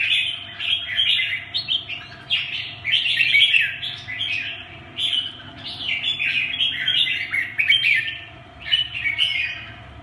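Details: Red-whiskered bulbul singing almost continuously, tumbling chirpy warbles and slurred notes in long bursts, some sharper high notes, steady hum in the background.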